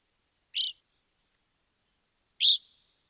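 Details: Two brief, rough, emphatic calls of an evening grosbeak in Wisconsin, spaced nearly two seconds apart, the second slightly stronger with a trailing tail, no other sounds.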